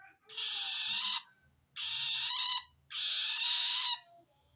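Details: Long-tailed shrike calling wild shrikes, the sound indicating it feels threatened by other shrikes. Three long, harsh, hissing-rasp screeches of about a second each, evenly spaced, with quiet gaps between.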